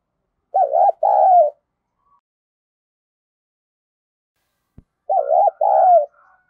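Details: Spotted dove, 'giọng thổ' voice style, calling: two paired coos about four seconds apart, each a wavy short note followed by a longer falling coo, silence between them except a single faint click.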